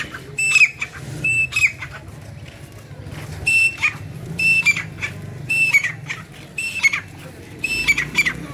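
A grey francolin gives loud, shrill, harsh phrases in pairs, repeated about every second, over a faint low hum.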